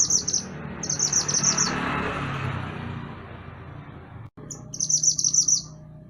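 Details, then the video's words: Mantenan gunung songbird, a lively master recording for tutoring other songbirds: short, very high, rapid trilled phrases repeated in bursts, with a pause before a final burst, over a steady low hum. "Mantenan Gunung Gacor Burung Masteran Untuk Burung Kicau"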